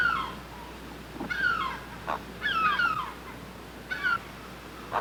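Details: Great blue heron at its nest giving screaming calls: grating, descending nasal squawks in irregular bursts, separated by short pauses and brief clicks, with constant hiss behind.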